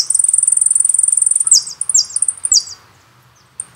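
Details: Jilguero song from a CD, called Carasucia: a fast, even buzzing trill high in pitch for about 1.5 seconds, then three descending slurred phrases and a single thin note after a pause.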